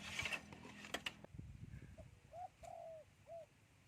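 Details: Wild spotted dove singing in the three-coo style: after a burst of mechanical clicking, two short low coos are followed by a longer drawn-out coo and a final short coo, all at an even low pitch.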